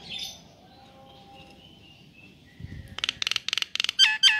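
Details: ['After a quiet stretch, a male Nias hill myna calling a female bursts into rapid pulsed buzzy notes followed by two loud, sharp descending whistles.']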